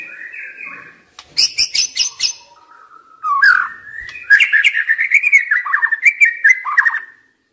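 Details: Stressed young forest white-rumped shama: a low warble, a burst of harsh high chatter, then a long flowing phrase of rich mid-pitched whistles and quick trills. Its singing is used to rouse other shamas into song.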